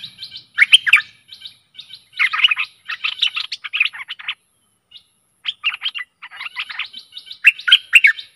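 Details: Stripe-throated bulbul song used as a decoy to lure aggressive wild birds, recorded 12/12/2021: bursts of rich, chattering, bubbly notes in quick phrases separated by short pauses, clean and loud with no other sounds.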